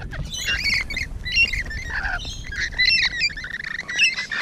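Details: Rainbow Lorikeets heard up close on the morning of 12 June 2017: continuous shrill, squawking chatter with sharp rising and falling notes, several birds calling at once.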